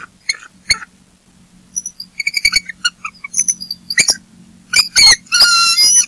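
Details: Bald eagles at a nest with eaglets at Berry College on a golden Saturday morning, alerting to an intruder after the male brings a fish head; scattered high, thin, harmonic chirps and squeaks come in uneven bursts, growing denser toward the end.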